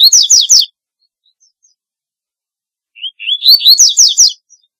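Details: Double-collared seedeater calling song: a fast burst of bright slurred chirps, a pause of over two seconds, then a fuller phrase opening with a soft rising whistle and ending in loud sweeping trills.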